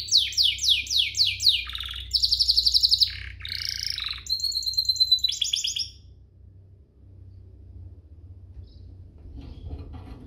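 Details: Canary song meant to excite other canaries into singing: a string of quick descending sweeps, then buzzy trilled phrases and whistled notes for six seconds, followed by near quiet with low hum.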